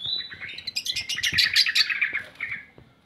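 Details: Lure recording of a long-tailed shrike for prompting quiet shrikes to sing: one continuous, rapid, jumbled chattering warble that gradually fades out.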